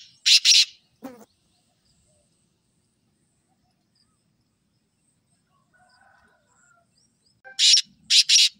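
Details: Black francolin giving short pairs of harsh, rasping notes at the start and again at the end, separated by a long quiet gap with faint background sounds.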